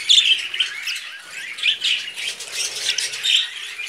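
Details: Two brother budgerigars kept as pets, sitting on a hand, give a steady stream of bright, buzzy warbling chirps with short louder bursts every second or so.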